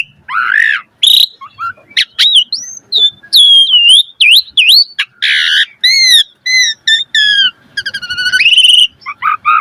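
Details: Singing jalak suren (Asian pied starling) in busy gacor style with varied filler phrases: a wavering opening whistle, clipped chirps, a flurry of quick arched notes, then harsh squawk-like bursts and a rising buzzy phrase.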